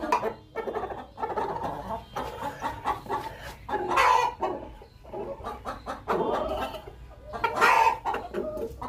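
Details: Hen calling before laying an egg amid a noisy background: dense irregular clucking with two louder, drawn-out squawks, partly masked by broadband noise.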